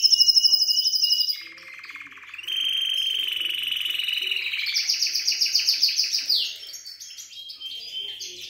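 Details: Syrian canary song opening with a loud high trill, then a lower rattling roll, then long even tours of quick repeated notes rising higher before a falling slur and softer mixed phrases.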